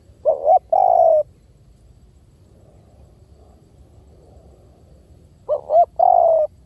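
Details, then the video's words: Spotted dove giving low hollow coos in two short phrases separated by a few seconds of quiet; each phrase is a brief wavering note followed by a longer steady coo. "เสียงนกเขาใหญ่!! เสียงต่อ!"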